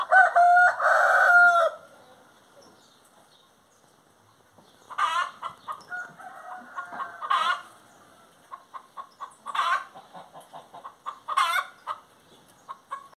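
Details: Singing hen opening with a loud, sustained harmonic cackle, then drawn-out wavering notes, sharp squawks every couple of seconds, and strings of short clucks.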